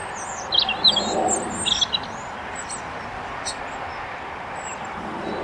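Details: A small flock of juvenile-looking common starlings, perched on a wire at Elmley Nature Reserve, Kent, on 12 October 2025, gives scratchy, high chirps and clicks in a quick burst, then only faint calls over steady outdoor hiss.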